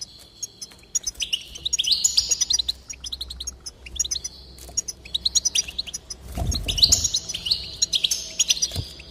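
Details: Goldfinch song played to stir a goldfinch into singing: fast, bright twittering of high tinkling notes and short slurred whistles in bursts, with a brief low thump midway.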